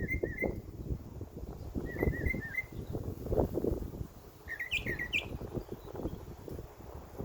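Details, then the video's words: Summer backyard birdsong: short runs of rapid, wavering chirps, then a rising, sharper chirp sequence, over steady low-pitched rumbling noise. "Birds Chirping Sound"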